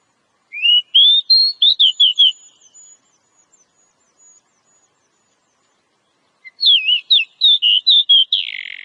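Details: Wild oriental magpie-robin, known for a cobra-like singing style called ngobra, gives a rising whistled phrase breaking into quick varied notes, a long pause, then another rapid string of sweet whistles ending in a harsh rasp.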